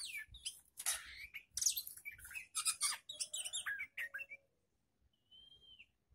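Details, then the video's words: Young magpie-robin tested with other birds, singing loud, dense bursts of harsh chatter and squeaky notes mixed with rising whistles for four seconds, then a pause and one long clear whistle. "CARA UJI MENTAL KACER BAKALAN DENGAN BURUNG LAIN"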